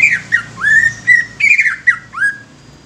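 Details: Clear, loud whistled song from a young greater green leafbird meant to prompt other leafbirds: slurred notes sweep up and down, some held briefly, in quick succession with little background noise.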